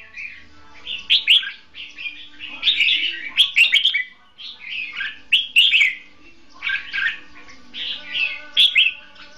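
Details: Caged decoy red-whiskered bulbul used in trapping, duel singing with repeated warbling, chattering phrases of quick whistled notes, fairly continuous with brief gaps between bursts.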